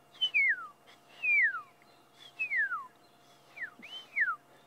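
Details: Magpie shrikes (Urolestes melanoleucus) off to one side at sunset in March in South Africa's Sabi Sand bushveld give clear, liquid downslurred whistles, repeated roughly once a second.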